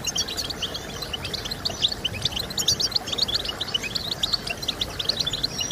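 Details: European goldfinch giving a rapid twittering song, intended to stimulate singing. High clipped chirps are mixed with a few thin, buzzy, sliding notes, over a background hum.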